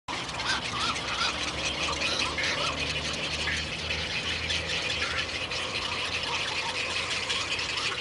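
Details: Intermediate egret chicks, a large brood being raised by the parents, keep up harsh, squealing, rattling begging calls without a break, several voices overlapping at high pitch.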